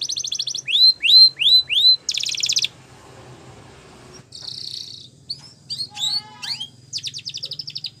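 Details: Canary singing Spanish Timbrado style for training: paired upward whistles repeated four times, a buzzy roll, a quiet pause, then buzzy tones, scattered sweeps and a closing trill over a faint low hum.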